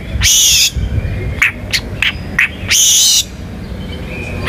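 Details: White-rumped shama singing contest-style 'shooting' filler material to draw other birds into song: two loud harsh buzzy bursts separated by a few short sharp notes, over a low background rumble.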